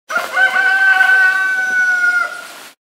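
A rooster gives one full crow lasting about two and a half seconds: a loud, strained, harmonic note, held steady before it drops away at the end.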